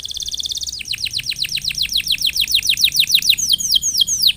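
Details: Canary singing in top form, kept to coax other canaries into song: a fast buzzy trill opens, then a long run of steep downward-swept whistled notes repeated about three per second.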